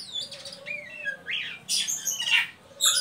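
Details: Oriental magpie-robin ngeriwik call used to lure young birds into singing: descending whistles, a rising buzzy note and loud harsh bursts in quick succession.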